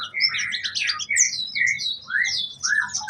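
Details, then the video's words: Orange-headed thrush in full song with mimicked fill-in phrases: busy high chattering notes, then clear, drawn-out whistles that slide up and down, given in quick succession. "kemade gacor isian"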